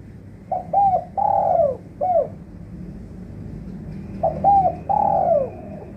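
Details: Lure call of a spotted dove for trapping, for birds that have stopped calling: two mellow phrases of short stuttered coos and a long downslurred coo, about four seconds apart, with low hum.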